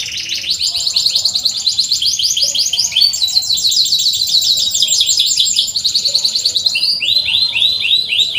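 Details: Canary chirping song meant for training canaries that struggle to sing: long runs of rapid, rhythmic high trills, each phrase changing tone, with rolling chattering notes throughout.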